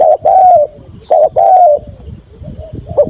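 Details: A spotted dove gives its calling coo, soft, low hollow coos in a short phrase, two paired notes then fainter trailing coos, with a little background rustle; finding: Spotted dove.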